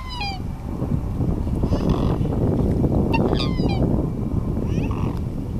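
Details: Black swan (Cygnus atratus) at Märkter Stau on the Rhine, Swiss–German border, gives a few short, nasal, somewhat meow-like bugling notes spaced over several seconds against a steady low rumble of wind or background noise.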